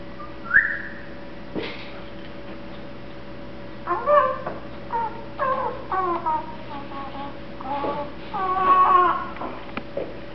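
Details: Pet Eclectus parrot, a one-year-old male, happily mumbling as he gets sleepy and contented; scattered soft murmured syllables and short harmonic warbles with a brief whistle near the start, indoors with a steady low hum.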